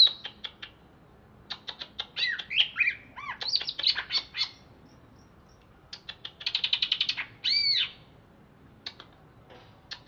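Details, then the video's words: Greater green leafbird from Alas Purwo, Banyuwangi, caged in Jatiasih, Bekasi, freshly bathed and singing: a busy mix of squawky arched notes, chattering bursts and dry clicks separated by short pauses. "Cucak Ijo Alas Purwo Cerewet"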